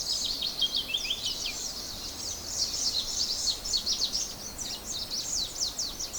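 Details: Morning chorus of several small birds giving quick, high-pitched chirps and sharp downslurred tweets in dense succession, with a soft noisy hiss underneath throughout.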